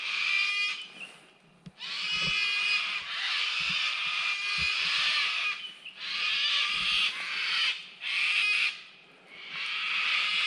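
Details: A kookaburra starting its raucous laughing song on a wet, cloudy day on the Hogan track down to the river in Lerderderg State Park, cockatoos nearby: harsh, cackling bursts that swell and fade in waves, with faint low thuds underneath.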